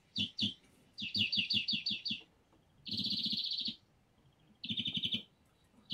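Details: European greenfinch singing: groups of quick repeated chirps, then a dense buzzy trill of about a second, a pause, and another shorter rolled trill, separated by brief silences.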